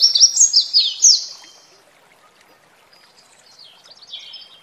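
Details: High, rapid warbling from a red warbler near a waterfall: a fast series of bright downslurred notes opening the recording, then quiet water hiss, and a softer, more distant warbled phrase near the close.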